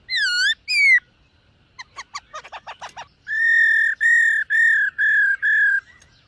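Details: Silver-eared laughingthrush in morning song practice: two rich arched whistles, a quick run of short sliding notes, then a row of long, steady, level whistles.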